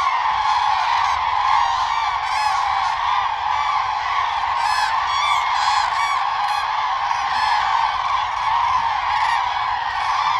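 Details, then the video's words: A flock of common cranes, in the context of the mating-season dance, gives a dense, continuous chorus of loud, rolling trumpeting calls, many birds overlapping without a break. "Crane bird sound"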